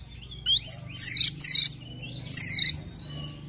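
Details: Oriental magpie-robin song recorded as a morning lure to get a bird singing hard; loud, bright descending whistled flourishes in bursts about half a second long, with a soft faint whistle near the end.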